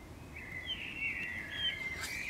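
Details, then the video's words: Common swift (Apus apus) clinging to a neighbour's house wall near nest boxes in summer; one long, harsh, buzzy scream holds at a steady high pitch for over a second, then a short click. "Common Swift banger on wall of neighbours"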